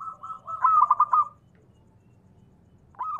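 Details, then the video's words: Local zebra dove in full voice, meant as a lure to draw other doves into calling. One short phrase of rapid, bubbling coo notes lasts about a second, then quiet with faint low rumble before another phrase begins. "perkutut lokal gacor SUARA TEMBUS 100%pancingan perkutut cepat Nyaut"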